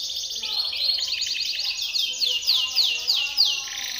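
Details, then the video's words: Timbrado canary singing a training song: a dense, loud stretch of rolling trills and slanted sweeps, continuous and slightly rising in intensity. "TIMBRADO canary singing - Timbrado canary's most powerful song for training / canary training song"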